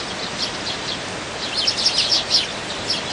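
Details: Dozens of wintering wild Eurasian tree sparrows squabbling over food. Scattered bright chirps build into a dense burst of rapid, overlapping tweets midway, set against constant outdoor noise.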